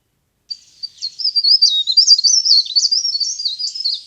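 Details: High, thin warbling from a leaf warbler used as a trapping lure, one continuous rapid phrase of wavering, slurred notes lasting about three and a half seconds, with no other sounds.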